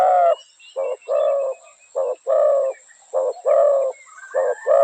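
Spotted dove giving low, mellow coos in uneven groups of two or three, the notes rising and falling slightly, over a faint steady high whine.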